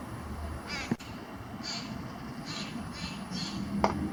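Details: All-black bird, one size smaller than a robin, said to sing like crows, recorded in Calgary, Alberta, Canada on July 22, 2025. About five short hoarse, rasping bursts come over roughly four seconds, above a low background rumble, with one sharp click.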